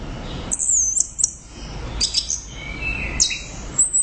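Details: An orange-headed thrush in full, loud song gives short bursts of very high, squeaky twittering. The bursts are separated by brief pauses and include a lower whistled phrase near the end, with faint background hiss.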